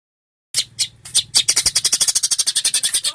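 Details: Long-tailed shrike, sung as a tutor recording for training birds: after silence, a few harsh buzzy notes lead into a rapid, regular rattling trill of about twenty loud scratchy pulses.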